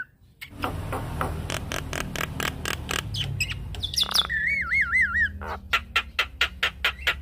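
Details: Javan myna song used as a training and trigger recording for mynas: a series of harsh broadband bursts repeated about twice a second, a wavering warbled whistle midway, over a steady low rumble.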